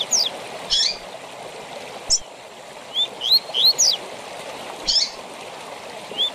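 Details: Tui tui zel zel style song of a double-collared seedeater, sung for teaching captive birds: spaced high downslurred notes and buzzy bursts, a short run of three rising whistles midway, one more at the end, steady rushing background.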